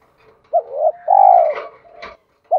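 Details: A spotted dove, from a recording of male and female birds used to train caged doves, gives a short hoot then a long drawn purring coo, followed by a faint click and another coo starting.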